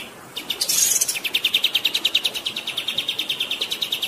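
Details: Songbird training recording with a brief harsh burst followed by a fast rolling string of sharp high chirps, about three per second, set against the sound of flowing water.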